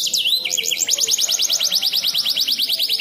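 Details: Canary with an intricate song for tutoring songbirds: a few swooping whistles lead into a rapid, steady trill of short high notes, roughly three per second.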